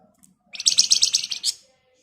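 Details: Javan white-eye in 'ngebren' song for training songbirds: a single burst of rapid, evenly pulsed high buzzy notes about one second long, ending with a brief sharp accent, on a quiet background.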